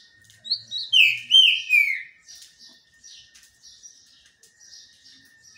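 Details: Green-winged saltator singing while bathing in the sun: a loud series of clear, slurred whistles falling in pitch opens the clip, followed by softer, thinner notes and a steady faint hum in the background.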